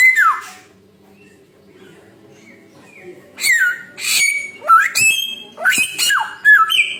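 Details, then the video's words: Samyong bird, noted as having a thousand and one sounds. A falling whistle is followed by a quiet pause, then bursts of squawky, buzzy notes and sliding whistled phrases, repeated roughly every half second. "burung samyong 1001 suara"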